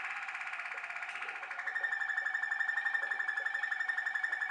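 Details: Waterslager canary, a Malinois canary, sings a low, rolling, bubbling tour, first a fast warbling trill, then a steadier pulsed whistle of about four beats a second.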